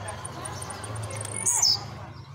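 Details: Blue-black grassquit, a new bird kept at home and leaving moult, fires off one short, shrill, buzzy note with a falling tail amid quiet high ticks, over background low hum and murmuring.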